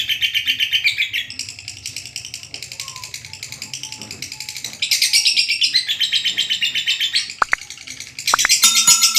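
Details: Lovebird long chatter, 'ngekek panjang', used to prompt quiet birds to sing: bursts of fast, shrill, rasping pulses that rise and fall in loudness, with a few sharp clicks and thin whistled tones near the end.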